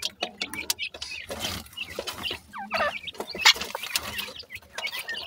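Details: Francolin chicks, called dakhni teetar, at play: brief rising and falling peeps scattered among loud clicks, taps and rustling.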